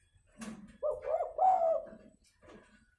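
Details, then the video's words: Fighting call of a spotted dove, played to draw other doves down to the ground: a soft burst, then a single throaty, mid-pitched cooing phrase of a few rolling notes lasting over a second. "Pancingan suara pikat tekukur tarung"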